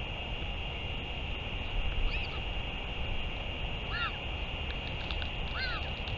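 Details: Northern royal albatross, return and feeding on 31 May 2023: two clear downward-bowed harmonic calls about two seconds apart, plus a fainter earlier note, over steady background hiss.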